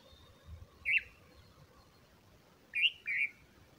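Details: A bulbul bringing food to its small chicks; a single sharp chirp, a pause, then two fast chirps close together, clear against quiet surroundings.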